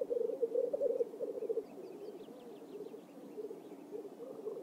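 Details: Black grouse lekking in courtship display in a swamp in Oulu, Finland, on 5 May 2022: continuous low bubbling, rolling coos overlapping from several birds, with faint higher notes above.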